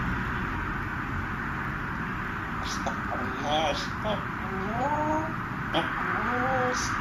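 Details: A pet African grey parrot, which talks in several languages, imitates Punjabi words indoors. It gives short, speech-like phrases with gliding, voiced syllables in the second half, over a steady indoor hum.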